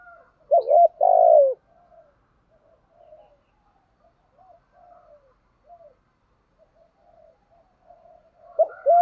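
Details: Cooing of spotted doves, male and female, played to stimulate captive birds: one strong phrase of a short double coo and a long falling coo, then a long stretch of faint low mutters before another phrase starts.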